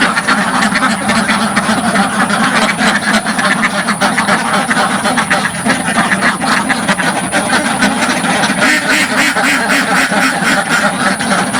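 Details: Dozens of penned ducks on a simple village farm, recorded up close without filter, keep up a loud, echoing mass of overlapping quacks, several every second throughout.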